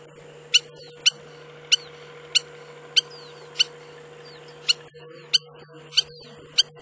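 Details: Spur-winged lapwing in the Agamon Hula area of the Hula Valley, Upper Galilee, Israel, giving sharp, metallic ticking notes roughly every half second, each followed by a faint downward-curving whistle, over a steady low electrical hum.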